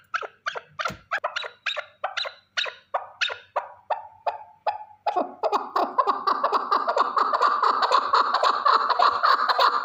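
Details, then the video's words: A single male partridge, kept as a calling bird for hunting, gives sharp, clipped notes about three times a second. These thicken midway into a dense, continuous, overlapping chatter. "Овози кабки нар Голос Куропатка صوت الحجل Partridge's voice صدای کبک"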